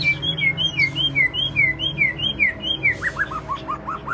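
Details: White-rumped shama calling to its flock inside an aviary: a steady run of bouncing two-part whistled notes, evenly repeated, ending in a quicker series of lower falling slurs.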